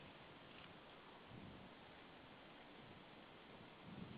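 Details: Steady broadband rumble of wind and rain, with no animal voice standing out.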